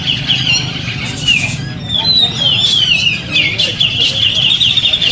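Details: Grey-cheeked bulbul, a competition bird, singing at a community songbird contest on Sunday, 27 September 2020, where it won two sessions. Its penetrating song holds tight, high-pitched notes as a long warbling run of slurred whistles and trills over crowd murmur.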